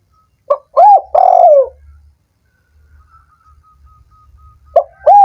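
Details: Spotted dove cooing, used to stimulate doves that are slow to sing: a short hoarse note, a rising-falling coo and a long drawn-out falling coo, repeated after a pause, with a faint steady tone and low hum between.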